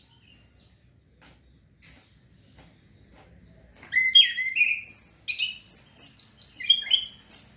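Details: Orange-headed thrush, song used to stimulate breeding urge: near silence for about four seconds with faint clicks, then a fast, varied outpouring of loud whistles and high chattering notes, roughly two phrases per second.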